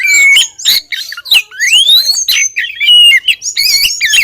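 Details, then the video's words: Female Oriental magpie-robin calling the male, used as a lure: a busy run of sharp high chirps and clear whistles, including a long rising whistled sweep and a steady pure note, with squeaky buzzy notes at the end. "Pancingan suara kacer betina"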